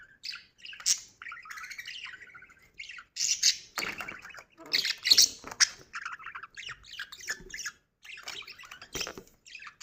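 A budgerigar chatters in a rapid run of harsh squawks, warbles and sharp chirps.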